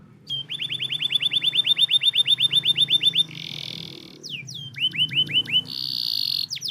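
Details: Canary song played to stimulate quiet, lazy canaries: a rapid run of rising-then-falling whistled notes near seven per second, a buzzy held tone, then more curved whistles and a final buzz.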